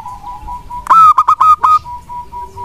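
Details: Local wild-type zebra dove singing a lure song meant to make lazy doves answer: a short burst of about five loud, clipped, ringing coos. A steady soft tone hums beneath, and quieter tones carry on after the burst.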